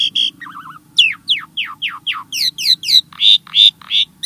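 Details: Starling song for prompting caged birds: a wavering trill, then a fast series of steep downward-sweeping whistles about three per second, ending in loud rich chirps.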